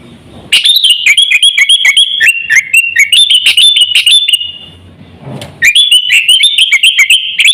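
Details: Lure recording of a sooty-headed bulbul for attracting birds and pet-bird training: lively stepped whistles jumping up and down in pitch, quick and jerky, a quiet gap, then more rapid stepping notes.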